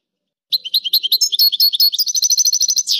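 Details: European goldfinch singing high, tinkling twittered notes that run into a fast, even, buzzy trill, with clean quiet surroundings.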